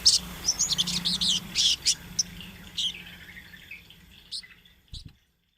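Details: Sunbird song used as a training master for young birds, a rolling, chattering run of high squeaky notes and trills in bursts over the first two seconds, then scattered sharp chips fading out, with a low steady hum beneath.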